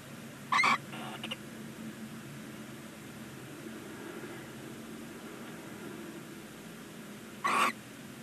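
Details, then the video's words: Newly hatched Barn owl chick, day one, calling from a nest box on a chimney in Ságvár, Hungary; a short harsh screech with a softer echo-like follow-up, then about seven seconds of quiet before another raspy burst. "first chick day 1 Barn Owls"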